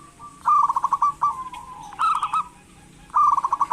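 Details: Local zebra dove cooing as a stimulus for lazy doves: a quick beaded trill of coos, a soft sliding note, another short rolling burst, then a fresh fast trill after a pause.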